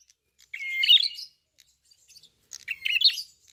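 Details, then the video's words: Red-fronted prinia giving two separate song bursts about two seconds apart, each a high, tumbling run of sharp chirps opening with a thin drawn-out whistle; quiet between phrases. "BUKA PARUH FULL GACOR BURUNG PRENJAK KEPALA MERAH/KLAWU"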